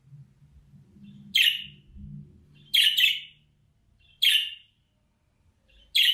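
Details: Budgerigar (Melopsittacus undulatus), chirps.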